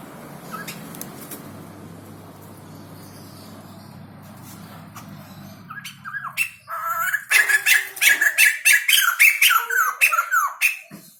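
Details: Quiet room noise gives way to a white-crested laughingthrush, offered for sale in Indonesia, breaking into loud, rasping, rapidly repeated squawks that build into an intense chattering run over several seconds.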